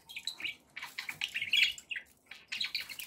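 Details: Pet budgerigars, described as happy, give soft bursts of warbled chirps and squeaky notes with short gaps between phrases.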